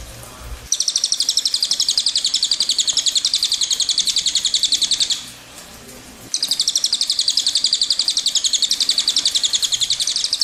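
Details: Cililin singing its long rolling song (ngerol panjang), two extended high-pitched trills of rapid repeated notes, each several seconds long, separated by a short quiet gap.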